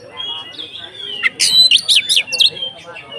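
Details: Kacer (Oriental magpie-robin) konslet ngeplong song used to provoke rivals: a soft drawn whistle sliding downward, followed by several loud, harsh rasping bursts and a short whistled flourish.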